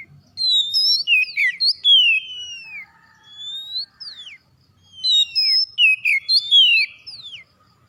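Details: Oriental magpie-robin in energetic song meant to prompt others of its kind: two bursts of crisp whistled notes, upslurs and downslurs in quick succession, separated by a short quiet gap.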